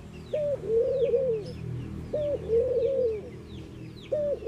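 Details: Mourning doves cooing: low, hollow phrases repeated about every two seconds, each a short upslurred note then longer soft wavering coos; thin high chirps from other small birds in the background.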